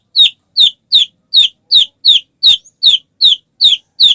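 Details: White-rumped shama, heard as a lure to make other shamas sing, repeating short high descending squeaks rapidly and evenly, roughly two to three per second.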